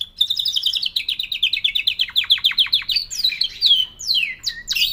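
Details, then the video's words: Canary song opens with a level high trill, breaks into a run of steep descending slurs, then finishes with twisting looping whistles. "L'oiseau canari chante"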